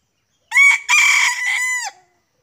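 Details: Junglefowl crowing loudly and close during a hunt in which the birds are lured in and two arrive: one multi-part crow, a sharp opening note, a brief gap, then a long drawn phrase ending with a falling tail, in an otherwise quiet setting.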